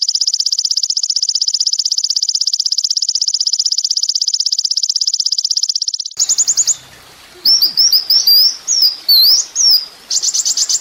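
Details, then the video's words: Sunbird known locally as kolibri ninja, a master recording for training songbirds: a long, fast, even buzzy trill of high notes, then sharp, quickly rising and falling whistled chirps and short trill bursts. "masteran mewah full isian kolibri ninja bikin burung emosi"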